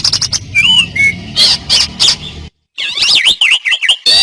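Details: Asian pied starling singing for training other birds: harsh grating bursts, a pair of clear wavering whistles, then after a short break a run of rapid warbling, wavy whistled notes over a low background hum.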